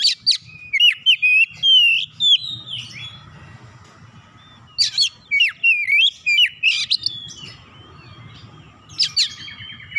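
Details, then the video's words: Vigorous oriental magpie-robin song, played to coax a quiet bird into full song: rapid runs of sweet, slurred whistles and chips in two long phrases, with a short third burst near the end. "Kacer malas susah bunyi sekali dengar langsung gacor"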